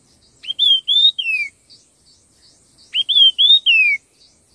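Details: Red-tailed minla in competitive song: two matching phrases about two seconds apart, each of three or four bright whistled notes, the last slurring steeply downward, with quiet gaps between.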